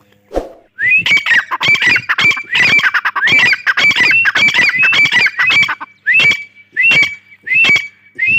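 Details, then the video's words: Grey francolin calling loudly: fast series of harsh, ringing phrases with rising notes, repeated steadily for about seven seconds with short breaks near the end. "Gray Dahkni teetar sounds | gray teetar ki awaz"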